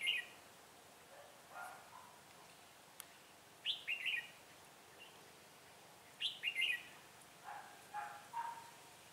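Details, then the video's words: Red-whiskered bulbul used as a decoy for trapping wild birds, recorded 6 December 2016: short bursts of bright chirping, warbled phrases repeated every one to two seconds, with some lower whistled notes between them, over a quiet hiss. "Bẫy chào mào giọng hay mau mỏ , chuyền cầu chóng mặt"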